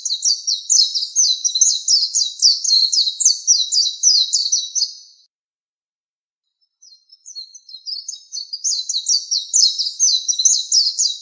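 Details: Oriental white-eye song used as master song for training cage birds: a high, rapid twittering run of sweet chirps lasting about five seconds, a brief silence, then another fast chattering phrase building up again.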